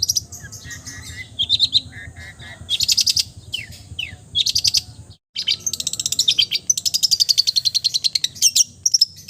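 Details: Long-tailed shrike in full mimicry song, copying many birds. Dense, loud, varied high phrases mix buzzy bursts, whistled slurs and rapid chattering trills, with a brief pause midway.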